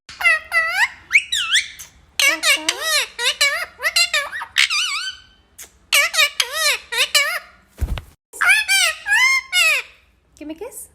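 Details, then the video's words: Talking parrot with a long stream of rapid, high, harmonic speech-like syllables in several phrases, rising and falling like spoken words, with one brief low thump midway. "Parrot sound ❤️बोलने वाला तोता"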